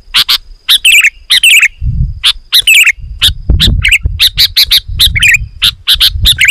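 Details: Sooty-headed bulbul giving loud, rapid bubbly chirps and short whistled phrases, several per second, over low rumbling noise; the dense, loud song is meant to provoke and lure wild bulbuls closer.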